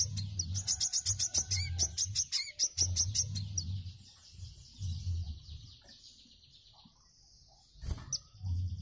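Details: Wiceh song recorded as master audio for training cage birds, in the lively mbeset style: rapid series of sharp, high chirped notes in the first three seconds, then quieter trills, over a steady low hum.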